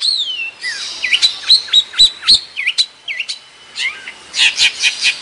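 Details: Long-tailed shrike of Madura singing: a descending whistle, a chain of hooked, looping chirps, then rasping, buzzy notes in a fast pulsing series near the end.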